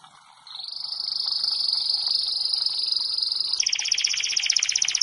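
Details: A canary in song training sings a long, even, high buzzing trill lasting about three seconds, then switches to a faster, rattling roll pitched slightly higher.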